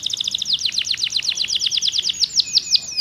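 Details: Pocong-style canary song intended to restart a silent bird's singing: a very rapid two-toned trill runs into quick descending slurred notes, ending in a few slower swoops over a level whistle.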